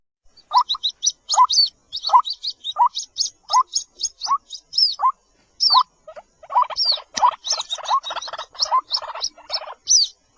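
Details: Calls of a baby White-breasted waterhen (jal murgi). Squeaky two-part peeps with a thin upward-sliding top repeat roughly every half second, then crowd into a quicker, busier series toward the end.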